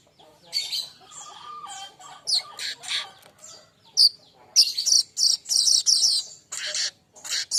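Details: Young baya weaver, a training song for songbirds: bursts of harsh, buzzy, high chattering notes broken by short gaps, with a few lower whistles in between.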